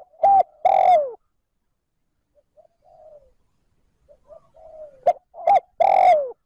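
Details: Spotted dove used as a decoy, cooing trơn ròng to stimulate wild birds. Two phrases of paired short hoots and a long falling coo, separated by a stretch of very soft murmuring notes.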